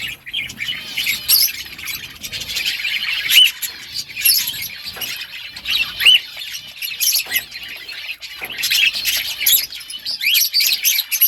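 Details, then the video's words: Budgerigar colony during breeding, sustained high buzzy chattering with squawky chirps and occasional clear whistled notes over eleven seconds. "Budgies parrot chirping sounds parakeet sounds"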